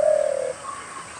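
A single soft, low coo from a spotted dove, smooth and slightly falling, fading after half a second into faint background hiss.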